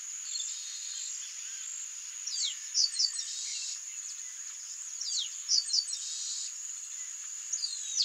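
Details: Male Chestnut-capped Blackbird (Chrysomus ruficapillus), a bird of aquatic habitats, gives short bursts of sharp, descending high notes about every three seconds, over a steady high insect drone.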